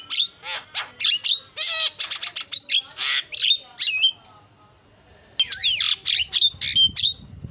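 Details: Starling lure song of rapid rasping notes, ringing whistles and swooping calls in a dense burst, then a pause and a fresh chattering run, with some low rumbling at the end.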